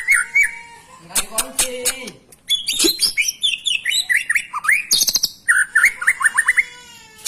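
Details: White-rumped shama singing as a tutor for young or lazy birds: a varied stream of whistled phrases, sharp clicks and rapid trilled upslurs, loud and close with a faint hum beneath.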